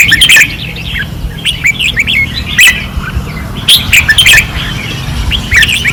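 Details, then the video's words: On a training perch in Pattani in 2024, a red-whiskered bulbul sings fiercely in loud clipped bursts of sweet, slurred whistles, repeated roughly every second, with a faint low hum behind. "เสียงนกกรงหัวจุก ราวซ้อม ร้องอย่างดุเดือด"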